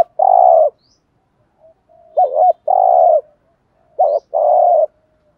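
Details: Spotted dove coos meant to draw in wild doves as a decoy: a long throaty note, then two phrases each pairing a short wobbling note with a sustained mellow coo, faint soft notes between.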